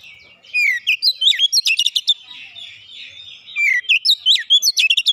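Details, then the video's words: Oriental magpie-robin song played as a lure to make other birds sing: loud bursts of whistled, sliding notes and rapid clicking trills, phrases repeated after short pauses, with a faint hiss between bursts. "PANCINGAN Kacer makin bunyi makin gacor tiap hari"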